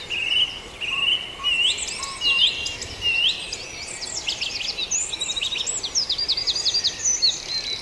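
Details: Birds singing together at dawn in Farndale: steady mid-high whistles at first, then busy jumbles of sharp, rapidly repeated high chirps that build into a continuous chattering chorus.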